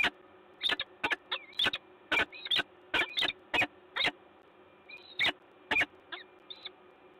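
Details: Peregrine falcon pair in Gdańsk, Poland, 10 October 2021, giving loud harsh grating calls in uneven bursts, mixed with a few thin, drawn-out whining notes that bend up and down, over steady background hum.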